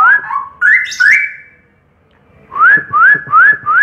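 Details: Straw-headed bulbul giving loud fluty whistles that step upward, a brief silence, then four evenly spaced rising whistled notes about every 0.35 seconds.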